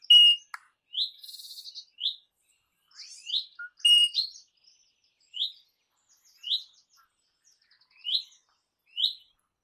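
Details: Crimson rosella: a series of clear upslurred whistles repeated roughly once a second, introduced by a harsh screech and a short buzzy trill.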